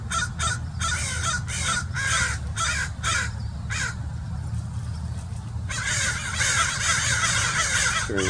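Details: A murder of American Crows mobbing a Great Horned Owl hidden in a tree at Mason Regional Park, Irvine, California, on 16 September: harsh, rasping caws in quick bursts swelling into a dense overlapping clamor over a low rumble.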